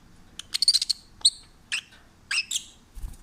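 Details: Peach-faced lovebird, an adopted stray kept at home, chattering happily: a quick cluster of thin, high twittering notes followed by a few spaced squeaky chirps, softer than the background hum.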